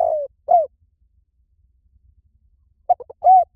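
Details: Spotted dove in liu tan style as a training lure: a coo fading out and a short coo, a pause, then three quick clipped notes and a rounded coo; calm, with no other sounds.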